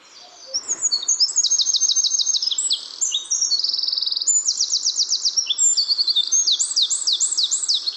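Eurasian Wren pouring out a loud, high, unbroken song of rapid rattling trills mixed with sharp thin notes, sustained for the whole phrase.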